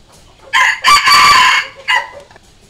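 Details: Red junglefowl decoy rooster crowing, used to lure and challenge wild junglefowl: a short opening note, a long loud harsh drawn-out middle phrase, then a brief clipped final syllable, with a quiet background.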